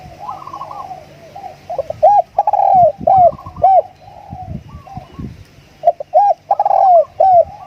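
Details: Decoy spotted dove singing. It gives a repeated series of short, rounded, hooting coos and rolling, tremulous phrases, several per second in bursts. Faint low rumbling and knocking noises sound beneath.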